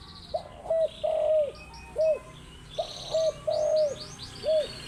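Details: A spotted dove calls in the morning with rhythmic low coos, short notes followed by a longer drawn-out coo, repeated twice. Faint high chirping from other birds comes from behind.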